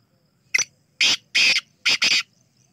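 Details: Rasping call of a black francolin: one short clipped note, two drawn-out scratchy notes, and a closing hurried pair, a loud, coarse, rhythmic phrase with nothing else audible.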